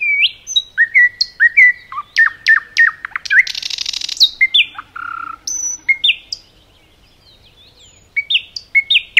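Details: Common nightingale delivering varied song in a forest: quick phrases of slurred whistles, a harsh buzzy burst midway, a brief lull, then fresh rising notes.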